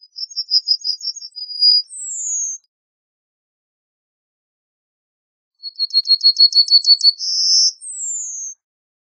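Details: Two Yellowhammer song phrases several seconds apart, each a rapid trill of high repeated notes ending with a sustained note and a descending slurred whistle.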